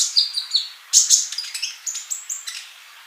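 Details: Male olive-backed sunbird in full song, played to teach still-silent young birds: a fast sequence of sharp high tweets and short flat whistles, uneven in rhythm, fading slightly toward the end.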